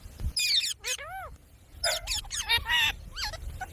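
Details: Talking parrot mimicking human speech: bursts of bright, warbling voice-like syllables with arching, gliding tones, separated by short pauses, with a low thump near the start.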